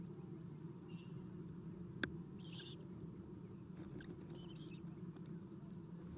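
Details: Eastern screech owl owlets fed at their nest, 7:04 am, 11 April 2016, recorded by nest cam; a faint whistle, a sharp click, then grating raspy bursts over persistent low humming.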